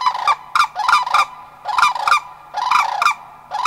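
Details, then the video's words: Sandhill Cranes in Anchorage, Alaska, in May, a likely family group answering passing cranes; harsh trumpeting rattles in paired and tripled bursts roughly every half second, with short pauses between phrases. "Three Sandhill Cranes calling to cranes flying past"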